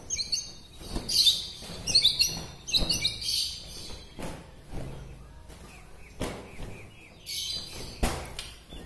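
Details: White-rumped shama from Bahorok, Medan, whose song is said to rouse other shamas; short bursts of high chirpy, warbled phrases come in clusters, broken by loud dull knocks and thumps with background noise throughout.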